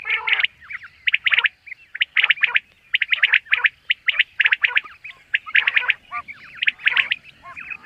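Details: Common quail calling in quick bursts of sharp, clipped notes, mostly high-pitched, grouped in short clusters about every half second to a second, with little background noise.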